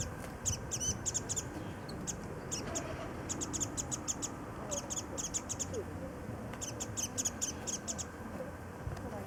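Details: Warbling white-eye calling while busily flying about early-blooming cherry trees at Kitago Station, Nichinan, Miyazaki, Japan, sipping flower nectar; high thin chips in rapid clusters, repeated through the clip over low background rumble.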